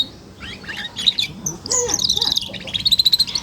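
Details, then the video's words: Four-month-old F1 canary, a young bird used as a model for other canaries learning to sing, giving a rapid high twittering song with trills and buzzy rolls, ending in a fast repeated chip series. "Suara kenari paud 4 bulan,cocok untuk pancingan kenari belajar ngeriwik"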